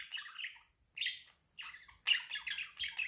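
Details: Pet budgerigar giving raspy, buzzy chattering phrases, three bursts separated by brief pauses, the last longest and most broken into rapid grating notes.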